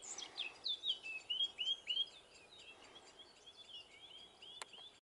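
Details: Eurasian blackcap song, northern Gran Canaria, May 2020: a loud run of clear, slurred, fluty whistles repeated about three times a second, fading into softer high twittering; one sharp click near the end.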